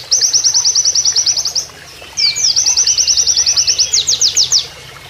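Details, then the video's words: Oriental white-eye delivering a canary-style rapid-fire training song: two fast runs of high, even, repeated chip notes, about twelve each, separated by a short pause and ending in a few louder downslurred notes, over a soft background of flowing water. "MASTERAN PLECI NEMBAK KENARIAN"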